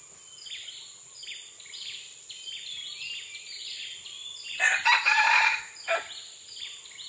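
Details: Red junglefowl recorded on June 12, 2011, giving a loud, harsh crow of about one and a half seconds in broken, rasping segments, against a steady background of many small birds chirping and twittering.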